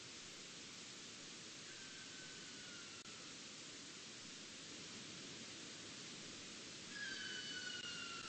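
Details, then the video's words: A Sooty Owl, recorded by an automated song meter in Tippy Gully, Ada Forest, Victorian Central Highlands, beside an active clearfell logging coupe, gives two long, thin, descending whistles, one faint, one clearer, over a steady rushing hiss like running water. "Sooty Owl Vocalisation"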